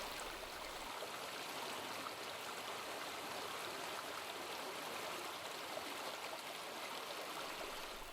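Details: Steady rushing of a stream or small waterfall, with no animal calls heard.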